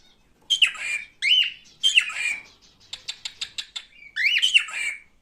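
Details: Male pet cockatiel giving a series of loud, grating squawks that sweep upward, broken by a fast string of dry clicks, then one more screech.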